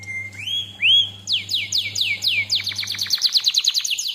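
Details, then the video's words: Canary singing a lure and master tutor recording: two rising whistled slurs, then a quick series of descending sweeps repeated about five times per second, with a low steady hum early on. "KENARI DENGARKAN SAMPAI HABIS, PANCINGAN MASTERAN, SUARA BURUNG CUIT CUIT"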